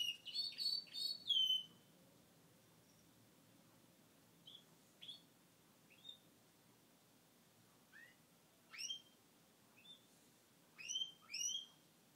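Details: Gloucester canary, a pet male singing after his moulting period: a quick burst of high chirps and warbled notes, then sparse short rising and falling chirps spaced a second or two apart in a quiet room.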